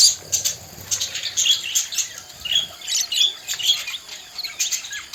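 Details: Domestic budgies chatter in bursts of high, scratchy twittering and short squeaky notes, with soft low rustling and fluttering underneath.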